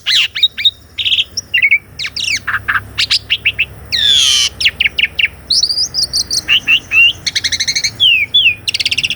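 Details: Asian pied starling in continuous varied song, recorded to prompt a silent caged starling; dense run of chips, downslurred whistles, a loud buzzy sweep and rapid stacked trills.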